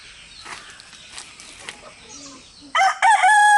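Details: Rooster crowing as communication among three roosters and their hens: after a quiet stretch of faint rustling, a loud, harmonic crow bursts in near the end and is cut off mid-call.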